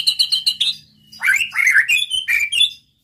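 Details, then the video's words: A white-rumped shama sings to make rival males answer: quick stuttered double notes open, then after a short pause come rich warbled phrases and clear whistles, over a faint low hum. "PANCING MURAI BATU ANTI GAGAL |NEMBAK NEMBAK BIKIN LAWAN NAIK EMOSINYA DAN BONGKAR ISIAN"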